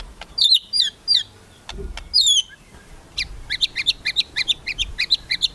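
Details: White-rumped shama, called murai batu, in kretekan song to provoke rivals: a few loud twisting high notes, then a rapid string of short sharp ticks and chips, with light background noise.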